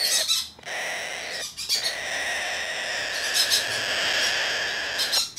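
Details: Blue-eyed cockatoo, a domestically bred hand-tame bird, recorded 6 December 2019. It gives a run of loud, raspy squawks with short breaks between bursts, and the tone stays harsh and buzzy throughout.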